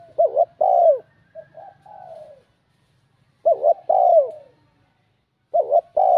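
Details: Spotted dove with a bell-toned voice, cooing to goad rival males: three phrases about two seconds apart, each a clipped double note and a strong falling coo, the first with soft trailing notes, over a faint low hum.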